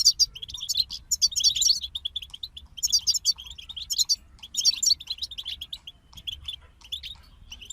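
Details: Singing group of European goldfinches: bright twittered phrases with buzzy, jingling trills arriving in bursts roughly every second or two, thinning to scattered chirps near the end over a low background hum.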